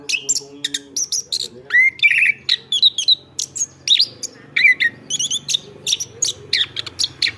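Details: Lively chestnut-backed thrush song, meant as a model for training other birds: a steady stream of crisp high chips mixed with rising whistled slurs and brief warbles, with faint low background hum.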